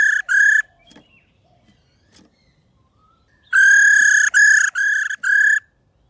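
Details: Female white-browed laughingthrush calling to stimulate singing in males; a brief pair of rolling buzzy notes, faint clicks, then a run of four loud rolling trilled segments.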